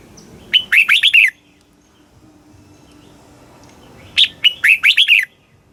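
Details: Red-whiskered bulbul song in the southern master style, from Thailand and played to rouse caged birds; two matching phrases of five or six quick, clear warbled notes, separated by roughly three seconds of quiet.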